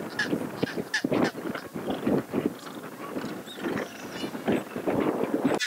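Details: Chinstrap penguins at a nesting colony on Georges Point, north end of Ronge Island, Antarctica, many adults with chicks on exposed stone nests; harsh, braying, honking calls repeat in rapid bursts over steady wind noise.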